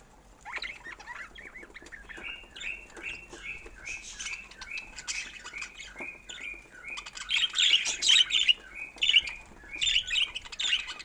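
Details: Pet budgerigars chirping: a run of short, similar chirps repeated roughly every half second, rising into louder, busier chatter toward the end.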